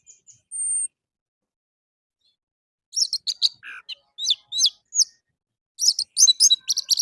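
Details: Orange-headed thrush singing in the morning as a lure for captive birds: one thin high whistle, a pause, then quick varied chirps and downslurred notes, ending in a rapid twittering burst.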